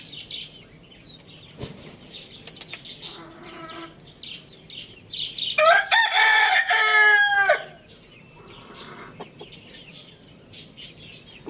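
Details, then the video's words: Pet rooster at home gives a few softer clucking notes, then one loud, hoarse crow of about a second and a half, followed by light background rustling. "Rooster Crowing Sound Effect"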